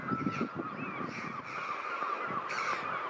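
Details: Choughs gathered near a family of young choughs just attacked by a pair of nest-defending gulls, June 2019, calling aggressively, harshly and almost without pause, scratchy ringing notes running together in an agitated chorus, with low rustling thumps at the start.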